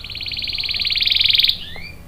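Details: Canary singing energetically, used to lure and tutor young and stalled males: one fast, even buzzy trill of rapidly repeated notes held for about a second and a half, then two thin rising whistles.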